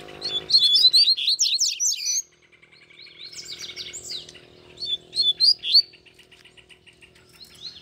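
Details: Double-collared seedeaters, two caged birds held in hand singing alongside a free wild bird: two bursts of rapid, high twittering song with quick rising and falling notes, separated by a short pause, over faint low background noise.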